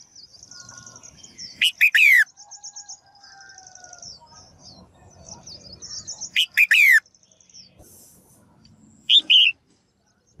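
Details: A female bird calls to spur males into active singing. Three loud, harsh, descending chirp bursts are spaced several seconds apart, over a continuous faint, high, twittering trill and soft background noise.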